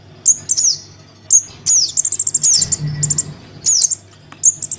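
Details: Begging calls of a young crimson sunbird calling for its parent, played as a bird-trapping lure: piercing high squeaks that drop in pitch, mixed with rapid stuttering trills, in bursts about every half second to second.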